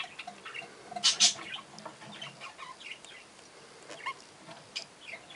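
Young budgerigars give scratchy, high chirps and chattering notes, with one louder burst of sharp squeaks near the start, then softer scattered calls.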